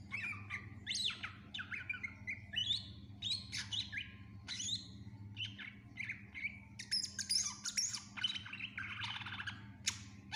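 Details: Greater green leafbird in full, energetic song, a recording meant for tutoring other cage birds: chattering mix of squeaky whistles, harsh chirps and quick slurred notes in bursts, turning dense and twittering toward the end, steady hum beneath.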